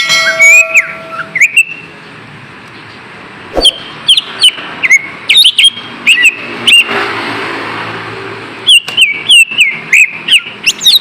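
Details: Lesser green leafbird lure song for kept birds that have gone quiet, with a few loud whistled notes early, then a gap, then phrases of rapid sliding chirps and whistles against a steady background hiss.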